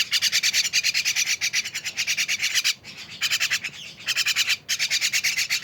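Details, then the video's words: Mynas chattering together make loud, continuous, rasping notes pulsed in fast rhythm, broken by two brief pauses, each burst harsh and buzzy. "rame bersama burung jalak"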